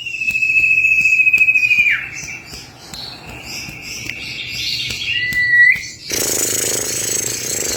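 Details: Female common iora calling for a male as a lure: a drawn-out pulsing whistle ending in a quick downward slide, softer thinner notes after, then a burst of loud hissing noise.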